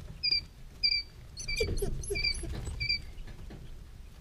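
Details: Peeping of three-day-old quail chicks: clear, high, short whistled notes repeated about every half second, with a few lower chirps and light scratching and rustling underneath.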